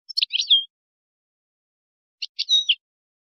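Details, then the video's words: European goldfinch Moroccan song used for tutoring goldfinch chicks and hybrids: two short bursts of bright, twittering, buzzy notes separated by a pause, no other sounds. "ويداني_مغربي _لتلقين فراخ الحسون والهجين"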